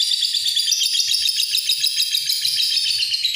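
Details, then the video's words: Lovebird in long "ngekek panjang" chattering song, a continuous high, shrill, buzzy trill with rapid pulsing throughout, no pauses. "Love bird ngekek panjang"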